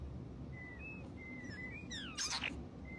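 European starling mimicking a robot droid: thin electronic-sounding whistles, flat and sliding, then a burst of falling chirps and a buzzy rattle over low background rumble.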